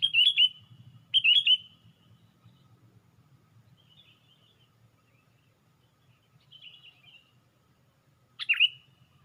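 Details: Sooty-headed bulbul on a branch lifting its wings, lure audio: two pairs of ringing swooping notes at the start, softer chatter midway, then one more sharp whistled note near the end, faint background rumble.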